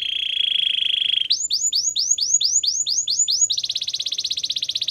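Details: Training song of a Belgian canary: a low, even trill gives way to eight or nine looping arched whistles, then a very fast high, metallic trill.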